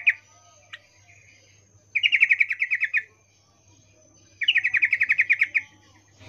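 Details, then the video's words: Female sooty-headed bulbul in breeding condition calling a male with the chattering call known locally as ngecuplik. Two bursts of about a dozen rapid, evenly spaced bright notes, each burst lasting about a second, separated by quiet. "Trucuk BETINA memanggil Jantan Suara Birahi Ngecuplik"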